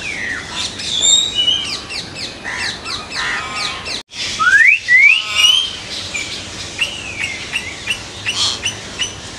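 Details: Common hill myna, a mountain bird from India, gives loud, clear rising whistles mixed with harsh chattering squawks, several notes each second, with a brief break midway.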